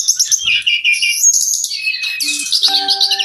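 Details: Caged Brown-chested jungle flycatcher singing for training other birds: quick descending whistles and warbles, then a burst of high buzzy chatter, with faint low tonal hums beneath near the end.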